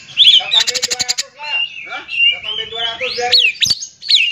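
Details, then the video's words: Magpie-robin lure song used to rouse other oriental magpie-robins. It begins with a sharp rattling trill over lower chattering notes, then runs into a steady whistled line and finishes with steep high whistled slurs. "PANCINGAN KACER TERAMPUH DIDUNIA"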